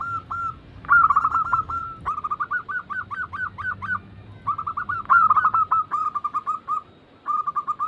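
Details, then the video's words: Several zebra doves of local and Bangkok types sing together for a training lure: overlapping runs of rapid, bubbling coo notes, each phrase a string of short rising whistles, with brief pauses between bursts. "Pancingan ampuh atasi burung perkutut yang sulit Gacor"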